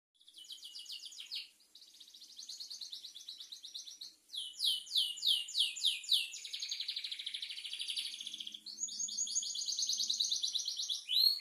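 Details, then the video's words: Canary song, a continuous run of high trills and rapid swept notes, changing phrase every second or two, with a buzzy rolling passage in the middle. "kenari gacorr dorr"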